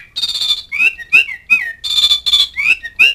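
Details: Asian pied starling calling to companions and rivals, alternating long buzzy high squawks with sharp rising whistles, several notes each second.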